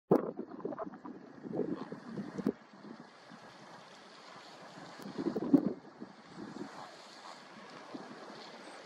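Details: Gusty wind buffeting the microphone over rolling surf, with irregular loud bursts and no animal voice.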